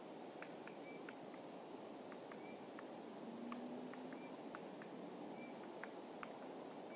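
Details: Foraging great spotted woodpecker hammering at dead wood on Tatyshev Island in Krasnoyarsk by the Yenisei: scattered crisp knocks at uneven intervals, with a few short thin bird calls and a low steady hum in the background.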